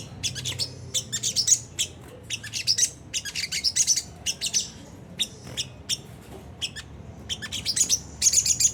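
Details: Sunda whistling thrush giving a rough ngriwik-style song, used as a lure to get caged birds singing: bursts of high, scratchy chirps and fast ticking notes in groups separated by short pauses, with a faint low hum underneath.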